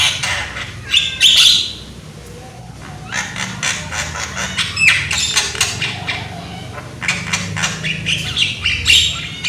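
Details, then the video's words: Young Javan myna with a loud voice, used as a lure to get other mynas singing: scattered harsh, broadband squawks and short whistled notes in irregular bursts over a low background rumble. "PANCINGAN BURUNG JALAK KEBO AGAR GACOR !!! JALAK KEBO MUDA SUARA KERAS !!"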